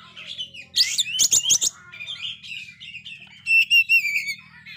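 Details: Oriental magpie-robin that failed to moult, very vocal, used to lift dispirited birds; harsh rapid bursts, chattering notes, then ringing downslurred whistles over a low steady hum.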